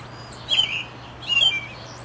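American robin singing two short, warbled, caroling phrases about a second apart, clear and mid-high in pitch, over a faint steady low hum.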